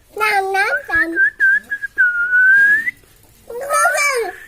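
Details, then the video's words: Parrot talking in rough, harmonic, voice-like phrases at the start and end, separated by a short series of whistled chirps and a long, level, slightly rising whistle, indoors. "parrot is talking"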